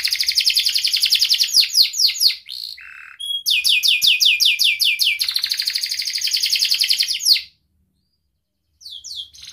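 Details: Canary song of sharp chirps and trills to set silent canaries singing: rolling buzzy trill, a brief low buzz and clear whistle, more quick chirps and trills, then a pause and faint notes.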